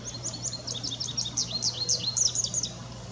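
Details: An American goldfinch (Spinus tristis) sings a fast, high run of twittering, sweet notes and slurred squeaky phrases, with a steady low hum underneath.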